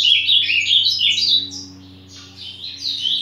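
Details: Ultramarine grosbeak giving a quick tumbling warble of bright descending notes, a short pause, then a second burst of higher chirped phrases; low electrical hum in the background.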